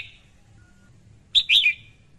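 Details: A single call from a female red-whiskered bulbul: a short clipped note, then a warbled, slurred chirp that fades out. The tail of an earlier call is heard at the start, against a low background hum.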